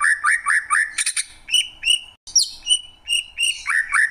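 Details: Greater green leafbird song of upslurred whistles mixed with harsh chattering bursts, a sharp descending high note, and evenly spaced ringing whistles.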